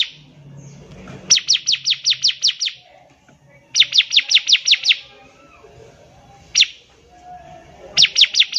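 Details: Young-bird tutor song from a vigorous bar-winged prinia: repeated bursts of seven or eight rapid, high descending chips separated by pauses of about a second, one isolated chip between, low background murmur.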